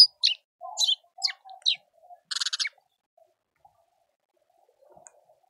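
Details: Speckled mousebirds at a garden birdfeeder in suburban Pretoria, South Africa: a quick run of short, high, sharp chirps followed by a brief buzzy, rattling burst, then near silence with faint background sounds.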